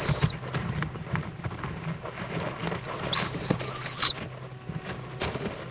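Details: At an owl nest in Indiantown, Florida, on an 11 February 2014 evening at 7:20 pm, the mother brings a bug to her chick; a brief hissing screech opens, then a longer rasping one follows, over soft scuffling.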